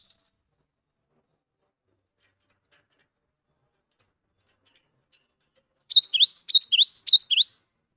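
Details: Skittish but persistent cinereous tit of the 'wingko' type, kept to coax quiet tits into song: a brief clipped note at the start, then a quick run of about six high, bouncing two-part phrases near the end.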